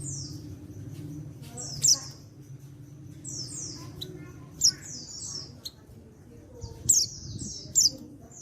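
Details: Calls of an untrained male white-eye from Pacitan, meant to stir other white-eyes to answer: repeated high falling buzzy whistles punctuated by four bright sharp down-slurred chips, faint low hum underneath.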